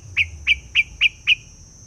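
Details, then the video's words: Decoy streaked spiderhunter, white-plumaged, calling hard in the forest: five loud, sharp, down-slurred chips evenly spaced about a quarter second apart, with a faint steady high-pitched whine behind. "chim hoành hoạch trắng hót cực sung"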